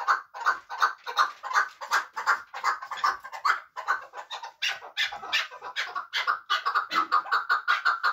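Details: Chukar partridge of Muminobod, a bird for hunting, keeping up a long, rhythmic run of rasping, clucking notes, a few per second, with little variation throughout.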